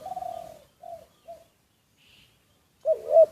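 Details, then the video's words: Spotted dove used as a decoy, recorded secretly: a fading drawn coo, two short soft coos, a brief silence, then a loud abrupt double coo. "แอบอัดเสียงนกเขาใหญ่ นกต่อ"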